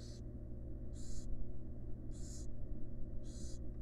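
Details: Wild barn owl mother resting with her chicks inside a monitored nest box; four quick, coarse hissing bursts close together against a steady low hum.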